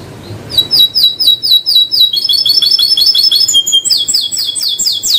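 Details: Canary in full song, a bright, high, rapid series of chirped notes in quick repeated phrases that shift into fast rattling rolls, then sweep down into sharp, ringing trills.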